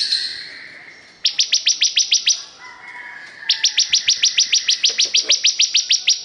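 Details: ['Bar-winged prinia producing steady, metronomic trains of loud high ticking notes, one run of about ten and another of nearly twenty, preceded by a thin wavering whistle.']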